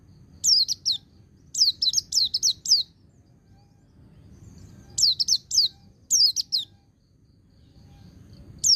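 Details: White-eye singing in the ngecir sambung ngalas style for training untrained birds. Rapid strings of up to five shrill, high, downslurred notes, grouped in phrases with short gaps, over steady low background noise.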